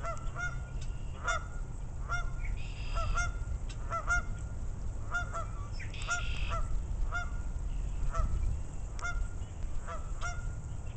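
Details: Several geese give clipped, nasal honks in loose bursts, a few stretched into longer calls, against steady deep rumbling noise throughout.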